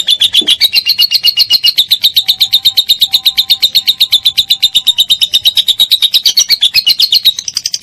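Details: Lovebird 'ngekek panjang' in konslet style, used as a master for training cendet, murai batu and cucak ijo: a steady stream of fast, even, high chattering pulses running without pause to the end.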